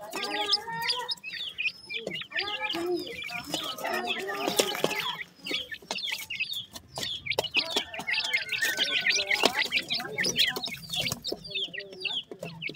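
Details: Group of captive grey francolin (teetar) chicks at their morning feed, peeping busily: rapid, thin descending chirps from many birds at once, briefly thinning mid-way before the chatter builds again.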